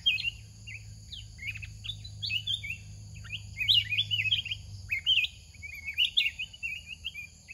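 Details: Wild red-whiskered bulbul, a big bird with a loud voice, singing fast lively phrases of bubbly whistled notes that grow louder toward the end, with low rumble and a constant high whine behind.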